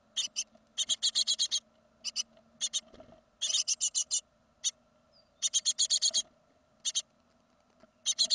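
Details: Young great tits from a second brood at fledging, 2016, give harsh, hissing rasps in quick bursts of several notes, pausing briefly between bursts, over a steady low mechanical hum.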